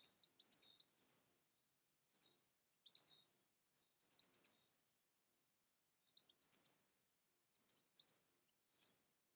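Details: European goldfinch: bright, very high, clipped chirps in quick bursts of two to four notes, each burst separated by short pauses, continuing steadily over about nine seconds in an otherwise silent background.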